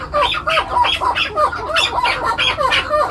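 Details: Young male chukar partridge of the Maskati type, seven months old, farm-kept: a run of harsh, arched chuck notes, each sweeping up and down, repeated steadily about three per second with no other sounds.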